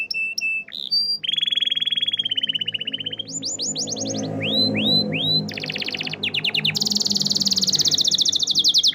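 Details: Singing canary delivering varied tours: short clear whistles, a long rapid trill, sets of swooping downward notes, then fast buzzy rolls ending in a bright chattering trill, over soft low room noise.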